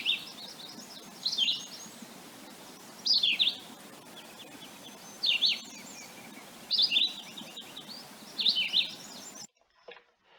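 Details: Philadelphia Vireo singing short, choppy, high whistled phrases, weaker and higher than a red-eyed vireo's, each followed by a pause, repeating roughly every one and a half to two seconds over a faint background hiss.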